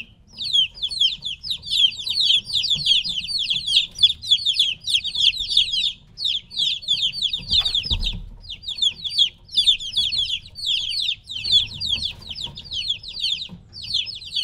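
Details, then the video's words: A group of three-week-old chickens separated from their mother keeps up a shrill, unbroken peeping chorus of fast falling chirps, with a brief dull thump near the middle and a faint low hum. "LITTLE CHICKENS CHIRPING NOISE"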